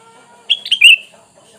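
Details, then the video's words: Sooty-headed bulbul lure call meant to make wild bulbuls answer: a single short bright phrase of three quick whistled notes, the last one longer and slightly falling, with faint background noise. "Dengan Surara ini kutilang bahan Langsung nyaut"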